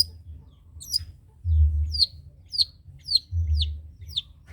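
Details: Long-tailed shrike of the trotol variety, recorded for other birds to learn from: clear high notes that slur sharply downward, repeated about every half second, over intermittent low rumbling.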